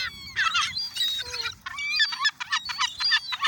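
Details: A dense chorus of gulls at Oyster Bay as they are fed, harsh harmonic squeals and yelping notes packed closely together, with one lower drawn-out wail partway through.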